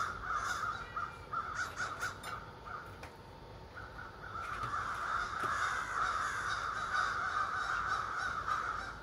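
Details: More than thirty ravens living in trees across the street, calling in the morning: bursts of rough caws at first, a brief lull, then a loud continuous wall of overlapping harsh croaks.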